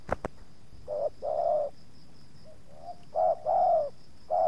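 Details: Spotted dove luring wild doves, with two wild birds approaching the yard and the second showing slight resistance. Short-long cooing pairs, irregularly spaced, plus a quieter soft coo and two sharp clicks at the start.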